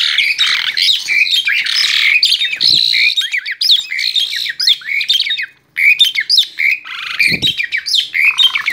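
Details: Agitated male Asian pied starling, kept as a cage bird, giving a dense, excited run of harsh squawks and rasping chatter mixed with short whistled notes, nearly continuous, with a brief pause around the middle.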